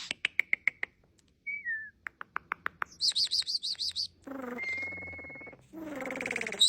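A starling runs through a varied medley: a row of sharp clicks, a slurred whistle, quick ticks, buzzy chattering bursts, a long pure whistle and harsh nasal rattles.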